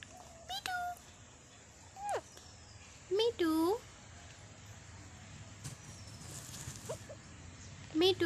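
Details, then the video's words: Talking pet Indian parrot kept at home: scattered short speech-like calls, a pair of bright harmonic words near the middle, quick squeaky notes before and after, and a final utterance at the end, over steady low background noise. "Talking parrot"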